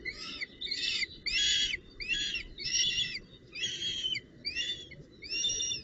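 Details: Northern goshawk, with a branch and prey, on 19 June 2018, giving a series of harsh, scratchy squealing calls, about eight in six seconds, over a low background rumble.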